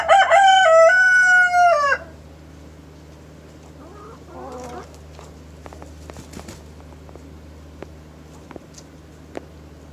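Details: A rooster crows in the morning, a loud ringing harmonic call with a broken, stepped opening and a held, slightly falling note for about two seconds, followed by soft hen clucking and scattered clicks.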